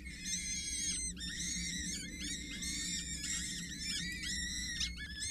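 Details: Four peregrine falcon nestlings, 6-8 days old, fed by a parent at a water tower in Scheveningen, 8 May 2023: loud, dense overlapping shrill whistled squeals, many notes bending up and down, almost without pause.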